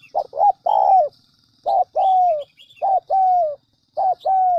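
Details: Spotted dove lure call meant to get wild doves cooing quickly: four repeated phrases, each a pair of short hoots leading into a longer falling coo, about one per second and a bit, with light chirping of other birds.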